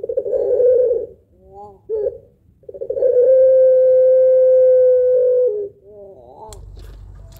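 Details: Spotted dove (puter pelung) giving a long, rhythmic, melodious song. A low cooing phrase, short warbled notes, then a long sustained steady coo lasting about three seconds, ending in softer trailing notes and a faint click.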